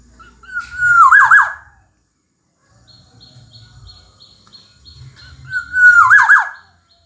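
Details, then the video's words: A gacor Black-naped oriole (kepodang emas) gives two fluty, looping whistled phrases about five seconds apart. A faint series of high ticks sounds in the quiet between them. "Kicau Burung Kepodang Emas Gacor"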